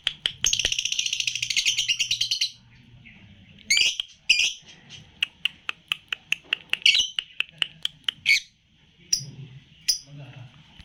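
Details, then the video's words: Red-eyed Paud lutino lovebird, age three months, opens with a two-second rapid buzzy chatter, then continues with a run of sharp clicks and occasional squeaky high chirps, short gaps between phrases. "LOVE BIRD PAUD LUTINO MM USIA 3 BULAN JEDA RAPAT"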